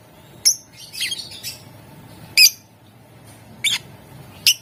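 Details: Caged lovebird chattering, used to prompt other lovebirds to sing: harsh buzzy squawks and high chirps in scattered bursts about once a second.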